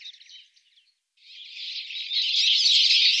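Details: Common linnet in Wittlich, 2017, giving a fast, dense, twittering song of high chirps and trills, briefly pausing, then running on steadily louder for over two seconds.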